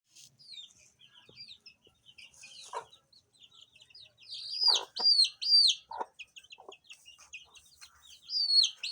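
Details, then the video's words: Baby chicks chirping in a busy chorus: high, thin peeps that arch upward then fall, overlapping quickly. Several louder, clearer peeps come in the middle and again at the end, with a few lower soft notes between. "Cute Baby Chicks Chirping Sound"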